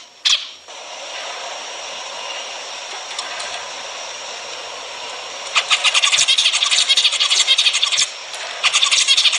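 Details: Zebra finches, a recording meant to stimulate mating: steady hiss with faint calls at first, then from about five seconds a burst of quick, sharp, high chirps repeated several times a second.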